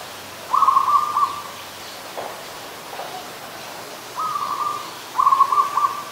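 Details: Zebra dove, an adult, recorded at Ubon Ratchathani, Thailand, on 24 December 2020, gives three rapid rattling coo phrases, each a burst of quick pulses about half a second to a second long, separated by pauses, with faint background rustle.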